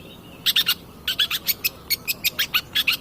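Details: Long-tailed shrike singing energetically in a lure recording meant to set other birds singing: a fast series of sharp, high chirps, about five per second after a brief pause, over a low background hiss.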